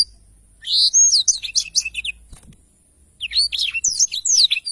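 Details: Black-throated canary in lively 'gacor' song, used for training songbirds: a phrase of high sweeping whistles and buzzy notes, a quiet gap of about a second, then a second rapid phrase of chirps and slurred whistles.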